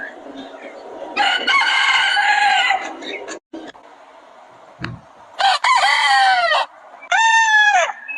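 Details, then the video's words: Roosters on a chicken farm give several crows: a rough, buzzy one first, then two bright crows with arching, falling notes, set against soft background murmur and clucks. "The Rooster's Crow: The Sound of a New Beginning"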